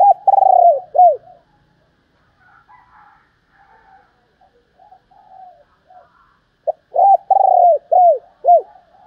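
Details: Female spotted dove calling to stimulate males: loud, hoarse coos come in two bursts, several short curved notes then a longer drawn-out coo, with a quiet gap of faint murmuring in between.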